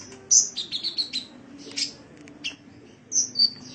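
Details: Caged-bird training recording of an Indonesian kolibri (sunbird): a fast series of high, descending chirped notes, then a buzzy burst and several thin sharp whistles over a low steady hum.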